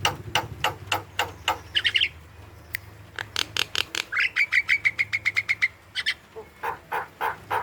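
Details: Javan myna (jalak kebo) calling energetically as a lure for quiet young birds: rapid series of sharp clicks and chips, then a fast trill of repeated whistled notes, with a low hum underneath.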